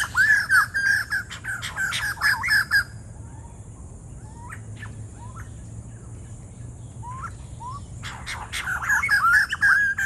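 White-crested laughingthrushes break into loud, harsh, cackling chatter that fades to a few short rising whistles before the noisy chorus returns. A low hum runs underneath.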